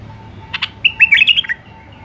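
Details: Wild Iraqi bulbul (White-eared bulbul) singing in the refined Alwazi style: two short chips, then a quick, bubbling warbled phrase of rising and falling notes lasting under a second, over a faint steady hum.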